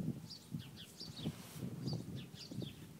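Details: Birds in a bamboo forest singing before snowfall, giving brief high twittering notes in scattered clusters above a steady low background rumble.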